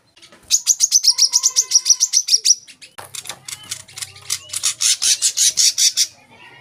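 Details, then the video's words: Olive-backed sunbird, used as a training recording to get young captive birds singing: rapid series of high, sharp chirping notes repeated about two or three per second, a pause, then another fast high trill with a faint low hum beneath. "kolibri kelapa | wiceh | manggar | putar suara ini untuk burung bahan agar rajin bunyi"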